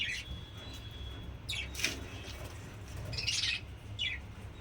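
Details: Budgerigars in a home aviary colony, several together, being fed tulsi (holy basil) leaves, which they start eating at once; short raspy high chirps come in scattered bursts over a steady low background hum.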